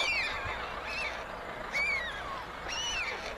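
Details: White stork chicks at a nest in Ságvár, Hungary, on May 22, 2024, as older siblings steal food from the youngest; three clear, downward-sliding whistled whines, about one per second, over light background hiss.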